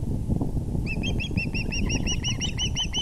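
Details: Osprey calling at its nest, April 6, 2020, 6:30pm EDT, while the male brings a big fish: a steady string of about fourteen evenly spaced, bright whistled chirps, several each second, with low background rumble.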